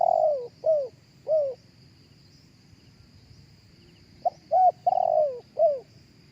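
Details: Live cooing of a spotted dove, intended to lure others over a loudspeaker. Three falling coos open the recording, followed by a quiet gap. The bird then repeats a full phrase of short note, level coo, long descending coo and last falling coo. A faint insect tone persists.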